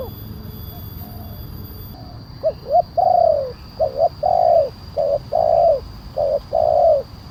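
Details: Loud 'kuk 1' calling of a spotted dove, used as a lure for wild doves: after a quiet start, soft hollow coos build into regular phrases of short notes and drawn-out falling coos, over a faint steady hum.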